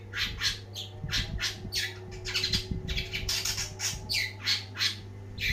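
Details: Long-tailed shrike singing hard, a string of loud rasping squawks delivered about three per second with little pause, over a droning hum and some low knocks.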